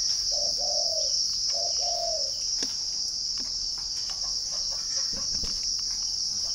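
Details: Spotted dove kept in a northern Vietnamese dove garden near Ba Vì, Hanoi, gives two soft low coo phrases, a brief note then a drawn-out falling note, before falling silent under constant shrill insect noise and faint clicks.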